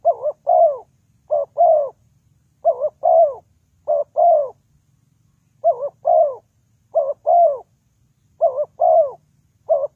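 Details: Spotted dove serving as a trapping lure, cooing steadily: around eight two-part phrases, each a clipped double note and a long descending coo, repeated every second or so with brief pauses, over near silence.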